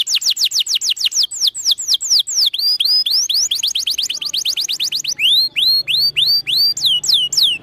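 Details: Canary song of rapid downslurred whistles changing into looping rising notes and a fast trill, varied phrases run together.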